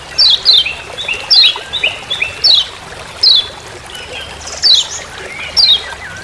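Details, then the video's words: Forest recording of Lombok kecial kuning (lemon-bellied white-eye) with "ciak ciak" calls for use as master sound: thin, steeply falling high notes, often paired, with softer lower twittering between them. "Masteran Kecial Kuning Ciak Ciak Di HUTAN"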